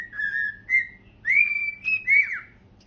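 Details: Cockatiel kept as a pet, singing on a couch: long level whistles, one held nearly a second, then rising and falling notes that end in a quick downward slur, low indoor hum.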